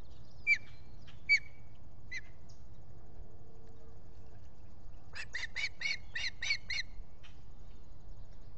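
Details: Osprey at the Salt Point nest in the Finger Lakes, US, recorded by a solar-powered nest camera on the morning of 23 July 2021, visitor at the nest. Three sharp, falling whistled chirps, then a quick burst of about eight harsh, ringing calls, over steady low hum.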